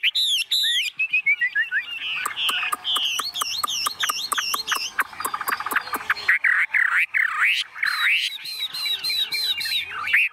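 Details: Tame Chinese hwamei in a shaken carrying cage, in full song: fast high looping whistles, a busy stretch of clicks and wavering notes, then loud swooping V-shaped whistles repeated in sequence.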